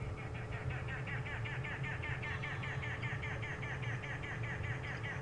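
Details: Arrow-marked Babblers (Turdoides jardineii) on a sunset safari drive in late November give a fast, harsh, rhythmic chatter, several times a second, over a low vehicle engine rumble and a steady hum, amid other bush birdsong.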